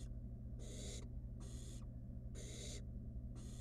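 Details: Wild barn owl nestling in a nest box, playing with food its mother delivered; loud, breathy, broadband hisses about once a second, four bursts in all, over a steady low electrical hum.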